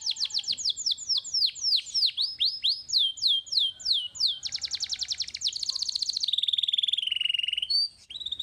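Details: Young canary in full song: falling whistled notes give way to rapid rolled trills, then a long low steady trill and a few short clipped notes to close.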